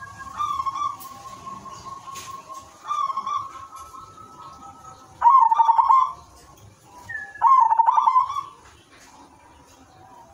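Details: Zebra dove of the silver variety in full melodious song, used to draw other doves into calling: several bursts of fast, rattling, pulsed coos, the later two louder, separated by steady tonal notes and short pauses.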